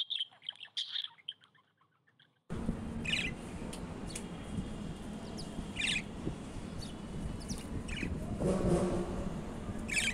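Budgerigars give short, bright chirps every few seconds over a steady rushing background hum.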